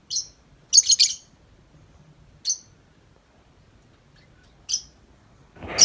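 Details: Tame lovebird, uncaged, delivering scattered piercing chirps, a short cluster of three near the start and single notes spaced a couple of seconds apart, with a rising rustle at the end.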